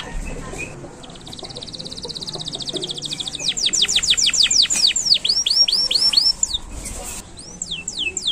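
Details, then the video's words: Canary singing for use as master training sound for chatter birds: a soft high trill at first, then loud repeated down-slurred whistles in quick series, with a quieter rising phrase near the end. "KENARI GACOR PANJANG !! SANGAT BAGUS UNTUK MASTERAN BURUNG PAUD DAN ISIAN BURUNG OCEHAN"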